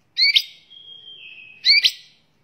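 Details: Captive white-rumped shama kept to tutor other birds, singing two sharp bright bursts linked by a thin, level, sustained whistle lasting over a second.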